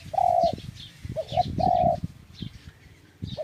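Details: Dove cooing: a long held note, two short coos, then another long note, mid-pitched and clear above low rumbling background noise and faint chirps.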